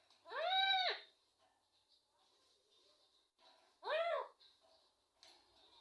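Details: A pet rose-ringed (ringneck) parrot called Mitthu speaks two short, nasal, word-like phrases, apparently saying names, about three seconds apart, with quiet room noise in the gaps. Finding: Rose-ringed parakeet.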